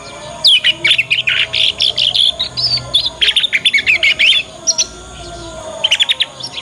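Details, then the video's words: Young Yorkshire canary singing the ngriwik learning song, played so other canaries respond and pick it up fast. Dense run of high, rapid chirped notes and trills for four seconds, a pause, then a short trill. "Kenari Manapun Pasti Nyaut dengan pancingan masteran kenari paud ini"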